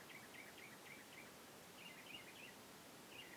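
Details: A mockingbird mimics crickets, other birds and frogs, singing faint, high, chattering phrases of quickly repeated notes in three short bursts over a steady outdoor hiss.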